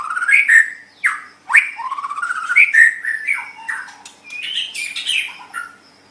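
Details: White-rumped shama song used as a master recording for training other songbirds: varied whistled phrases rising and falling, with sharp upswept notes and clear pauses between bursts.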